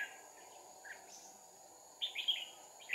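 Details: Trapping red-whiskered bulbuls with two decoys, 2 April 2019; a fighting-song phrase of quick warbled whistles arrives late, preceded by faint distant notes, with a steady insect drone throughout.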